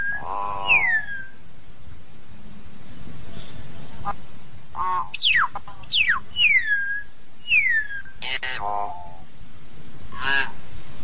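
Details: Flock-calling common hill myna: a harsh nasal note and falling whistle, a quiet stretch, then a quick burst of four or five sharp descending whistles followed by rough squawks, above a continuous low hum.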